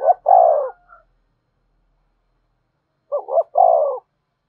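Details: Lure call of a spotted dove meant to bring wild birds in fast: a low stutter and a long, falling coo, a pause of about two seconds, then the same stutter-and-coo phrase again.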